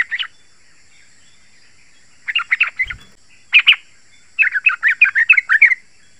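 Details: Yellow-vented bulbul singing, a recording meant to draw wild bulbuls and prompt captive ones to answer: scattered short bubbly phrases, a brief low thump near three seconds, then a final rapid run of gurgling, warbled notes, with a faint high hum throughout.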